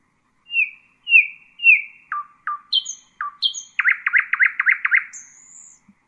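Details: Husseini-style nightingale song for teaching chicks: three drawn-out falling whistles, short notes dropping lower, then a rapid run of about eight loud trilled notes, ending on a thin high whistle.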